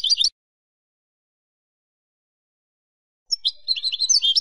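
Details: European goldfinch kept for silvestrismo in Spain: a brief twittering phrase, a long silence, then another rapid run of high, tinkling notes.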